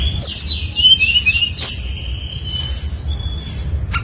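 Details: Brown-chested jungle flycatcher singing as a lure for other flycatchers: a rapid cascade of high descending slurred notes, a sharp click, then thin sustained whistles, over faint low noise.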